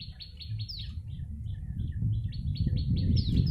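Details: Yellow-bellied prinia, recorded as a bird-luring call: rapid runs of bright, clipped chirps with occasional sharp downward-slurred notes, delivered several per second above a low background rumble.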